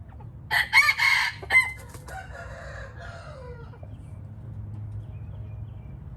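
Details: Red junglefowl, white-eared, crowing: a choppy, hoarse crow of stuttering bursts followed by a softer, drawn-out descending tail that fades over about two seconds into quiet background.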